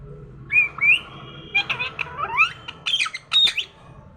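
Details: A talking parrot in the morning producing rising whistled notes, then a rapid jumble of squawky, voice-like syllables and sharp chirps, over a quiet low background hum.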